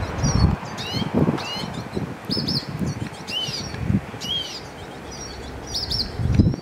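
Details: Singing hooded siskin gives thin, high chirps and quick down-slurred whistles every second or so, over low thumping and fluttering noise.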